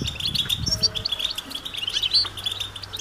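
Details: Several European goldfinches calling together in the open countryside, calls said to stimulate males to sing: dense, high twittering chirps and buzzy notes tumbling over one another, with a faint steady low hum beneath.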